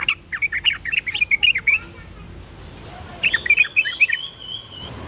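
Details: Yellow-vented Bulbul (trucukan) singing in reply to a lure call, a bubbly, tumbling phrase of fast varied chirps, a pause, then a second chattering burst ending in a drawn-out whistle.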